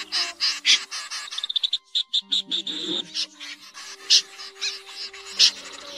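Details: Common snipe flock calls used as a lure for night net trapping of migrating birds in August 2024: rapid series of harsh, rasping, high notes in bursts, with low steady humming tones underneath.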